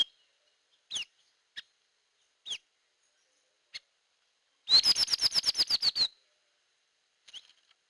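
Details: Hair-crested drongo lure call: a few scattered downslurred chips, then a fast even series of about eleven sharp metallic notes lasting just over a second, followed by quiet.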